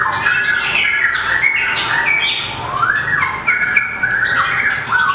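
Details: Competition singing from a small White-rumped shama with a long tail, flicking it while running along the perch: flowing whistled phrases with upward slurs and sharp clicking accents.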